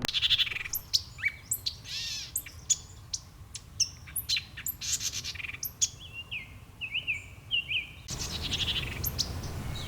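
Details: White-eyed Vireo at Pere Marquette State Park, Illinois, as trees leaf out beside flooded rivers: a rapid, varied jumble of sharp chips and quick up-and-down slurred whistles, cutting off near the end into a windier, noisier stretch.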